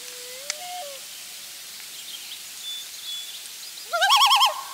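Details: Loon at its nest on the last day before the family leaves for the brooding area, parents with a chick; a faint low whistle early on, then a short loud burst of rapidly wavering, quavering notes near the end.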